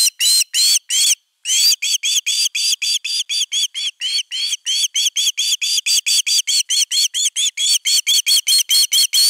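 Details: Osprey defending its nest at nest camera #3, 31 August 2021. A few spaced, piercing whistles, then a brief pause, then a long, fast, somewhat uneven series of shrill, repeated notes.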